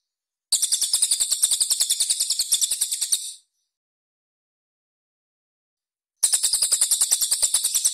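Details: Cililin (pygmy bushtit) master song of rough, tight-spaced bursts, played to train competition birds: a fast, very high buzzy trill of evenly pulsed notes lasting about three seconds, a silent gap, then the trill starts again.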